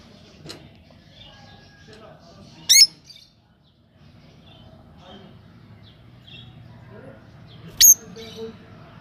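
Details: Lovebird giving two sharp, shrill chirps about five seconds apart, each very short and piercing, with long quiet gaps between them and a faint low hum underneath.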